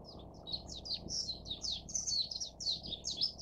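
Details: Warbling (Japanese) white-eye (Zosterops japonicus) chicks beg while being fed, a dense, continuous stream of thin, high, rapid chirps over a low background rumble.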